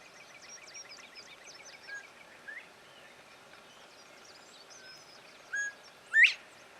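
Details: A male Northern bobwhite calling from a treetop in spring whistles its clear two-part 'bob-WHITE', a short low note then a loud, sharply rising whistle, over faint chirping from other birds.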